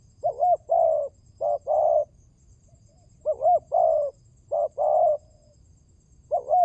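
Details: Spotted dove lure call, pancingan tekukur, intended to stop birds staying silent: brisk series of double coos each followed by a long throaty croon, about four phrases, with low background hum.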